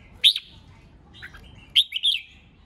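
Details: Red-whiskered bulbul duelling song used to provoke rival birds: a loud sharp whistle, a soft low note, then a ringing phrase of three slurred whistles.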